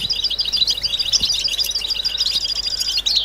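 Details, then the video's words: Group of European goldfinches singing together, a chorus meant to spur mating song and stimulate males and females: dense, fast, bright twittering and tinkling notes overlapping continuously, with faint background noise. "بتبتة حسون جماعية ضرورية لعلاج سكوت+تحفيز إنات لحسون قوى بتبتة جماعية لتحفيز حسون على تغريدة تزاوج"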